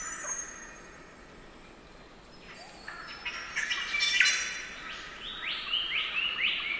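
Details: Spangled drongo in Nightcap National Park rainforest, NSW, Australia, giving metallic, twangy chirps and harsh upslurred notes in quick, irregular bursts of mechanical song and chattering, with other rainforest birds faintly behind.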